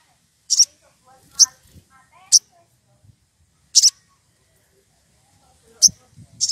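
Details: Woodpecker in the wild, excited and calling a rival: high sharp notes in irregular pairs and singles, with soft fluttering chatter and light thumps in the background.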